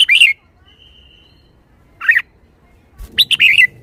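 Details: Caged Red-whiskered bulbul showing liveliness: three short bright warbled phrases around the upper-middle range, each a quick run of rising-falling notes, with a faint steady whistle tone between the first two.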